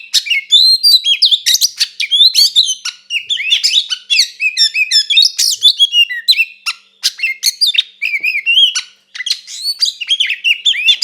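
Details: Oriental magpie-robin fighting song for provoking another bird to emotion. Long loud stream of high squeaky whistles, scratchy chirps and quick up-and-down slurs, nearly unbroken for eleven seconds, with a brief pause near the end.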